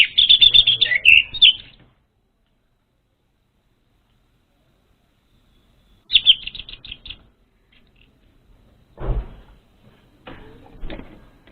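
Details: Untrained orange-headed thrush lure song: a dense burst of rapid high chattering notes, a quiet gap, then a shorter trilled run, followed by low thumps and rustling.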